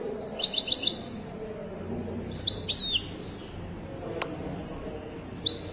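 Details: Wedani-style Moroccan European goldfinch at a large bird market in Casablanca; a quick run of four tinkling notes, then buzzy, sliding twitter phrases and a final short chirp, plus one sharp click and low crowd noise.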